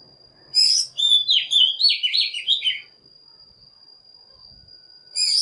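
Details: Oriental magpie-robin lure song meant to call wild birds and stir other birds into morning singing: a loud two-second burst of rapid, varied warbling and sharp high whistles. A new phrase begins near the end, over a steady high electronic whine.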